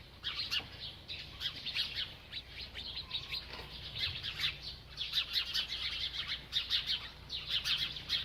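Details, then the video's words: Chirping from a feeding bird, with bright high chirps in quick clusters that pause now and then before starting again, keeping up a lively, busy chatter. "This Happy Bird Won’t Stop Eating and Chirping"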